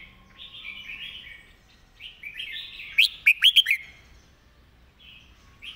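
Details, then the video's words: Red-whiskered bulbul master song, fast and repetitive. Softer warbled chatter leads into one phrase of four loud, sharp, rising whistled notes, then it fades back to quiet warbling. "เพลงดี"ปากไว เดินเพลงย้ำๆ เพลงแม่บท"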